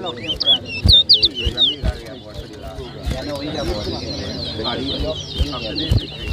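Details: Towa towa (large-billed seed finch) at a 2023 whistling competition in New Amsterdam, Guyana: a few loud, clear looping whistles open, then softer continuous warbling under men's voices and clattering.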